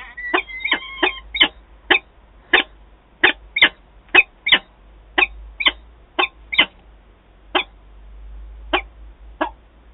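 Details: Adult peregrine falcon pair, Wałbrzych, Poland, 11 September 2022; begins with a quick rough chatter, then slows to isolated harsh notes spaced about half a second to a second apart, fading toward the end.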